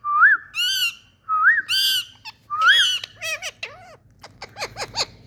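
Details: Indian parrots at play, vocal and happy: three rising whistles each followed by a loud harsh squawk, then a run of quicker downward-curving chattering notes and clicks.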